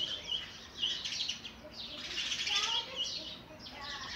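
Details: Begging sparrow chicks being fed oversized food by an adult; a steady stream of high, hissing chirps with short whistled slurs throughout.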